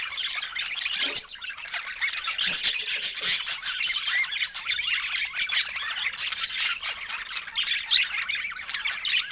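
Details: Budgerigars delighting in fresh food keep up a lively, unbroken stream of high squeaky chirps and warbled phrases, several birds calling at once, with faint soft rubbing sounds early on.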